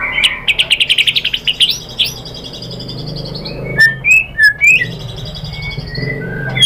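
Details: White-rumped shama (murai batu) singing a lure song to excite other birds: a rapid string of repeated chip notes accelerating upward, then widely spaced short whistled notes over faint background hiss.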